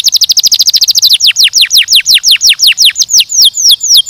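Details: Canary singing a quick tour of crisp repeated notes, slowing into loud falling whistled slurs, each repeated several times per second, ending in drawn-out sweeps.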